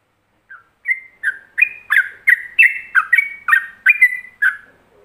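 A yellow-vented bulbul gives a lively run of about ten bubbly, liquid notes, each a quick rich chirp around mid pitch, spaced roughly every third of a second.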